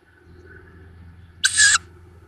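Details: Fledgling tawny owls at their nest in Hungarian woodland near Szokolya, recorded by a nest cam on 7 May 2022: one loud, brief, breathy screech-like hiss over a quiet background hum.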